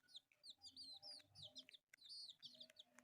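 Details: Four colourful pet chicks at play give a dense chorus of high, thin peeps, each a short arched chirp that rises then falls. The calls overlap almost constantly, with faint low rustling underneath.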